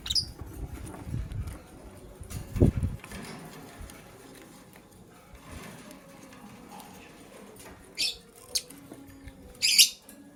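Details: Caged lovebirds in the morning, a blue one scrambling for vegetables: soft scratching and tapping for most of the stretch, then three sharp, shrill chirps close together near the end.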